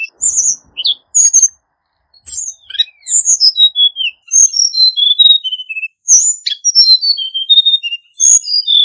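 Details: Hill blue flycatcher male song used as a lure for bird trapping, in a wild-forest style. Sweet, high whistled phrases descend in steps, each burst lasting about a second and separated by short pauses.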